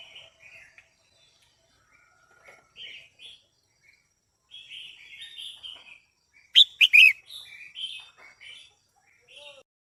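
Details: A female Red-whiskered bulbul (Pycnonotus jocosus) sings short, bright warbled phrases in irregular bursts, with a few louder, sharper notes near the end, to stimulate the male.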